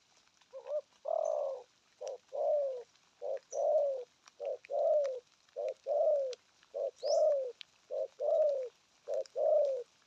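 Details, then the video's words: Spotted dove giving a steady series of hollow coos, short notes alternating with longer falling ones, about fifty per minute and fairly regular, with faint chirps from other birds behind. "thuc gù thúc kèm bài bản"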